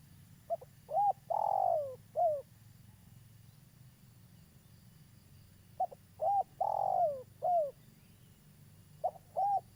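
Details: Spotted dove of a local strain, used as a trapping lure, repeats its cooing phrase about every five seconds: clipped note, arched coo, long descending coo, final downslurred coo, with a third phrase starting at the end.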